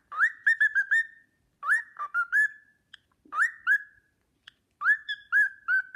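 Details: Pet cockatiel performing the Sportpalast Waltz in clear, flute-like whistles: short bursts of quick rising notes ending in a held tone, repeated four times with pauses and faint clicks between.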